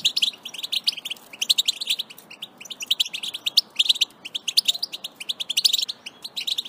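A European goldfinch sings a fast, tinkling run of bright twitters and short buzzy notes, high-pitched and continuous, with no pauses.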